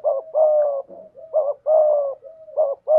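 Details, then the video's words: Spotted dove used as a decoy, with a 'thổ' style voice, cooing almost without pause: wavering short notes and long hollow coos linked by soft connecting notes across three seconds. "Chim Cu Mồi/ cu gay giong tho cuc dinh"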